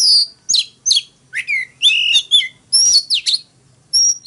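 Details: An Oriental magpie-robin sings its forest-voice fighting song to rouse males: loud slurred whistles and harsh grating phrases in short bursts, ending with a lone high whistle after a pause.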